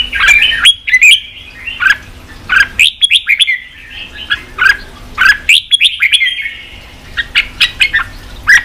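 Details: Red-whiskered bulbul song to rouse wild-caught birds for fighting; short crisp phrases of slurred, downward-sweeping whistles repeated about every half second to second, with brief silent gaps.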